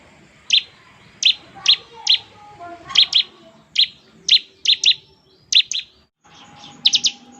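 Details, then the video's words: Bar-winged prinia in lively song of the ngebren style, said to prompt other prinias to answer: sharp high chirps given singly or in close pairs every half second, with faint lower whistled notes beneath. "ciblek gacor, suara NGEBREN seperti ini paling ampuh bikin ciblek IKUT nyaut"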